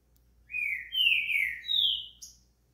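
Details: Green-winged saltator song for warming up a bird: a phrase of three long, clear whistles, the middle loudest, each gliding downward, ending with a short high note, over a low steady hum.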